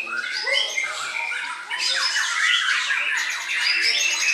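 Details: White-rumped shama delivering a busy, varied song of piping whistles, trills and scratchy notes, loud throughout, with two particularly intense bursts of rapid phrases.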